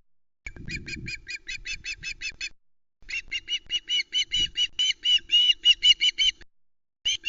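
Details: ['Fledgling female Osprey squawking at the Loch Arkaig nest on 1 September 2020 over a whole trout left by her father, before flying off with it. Long fast series of shrill, repeated squawks with brief gaps.']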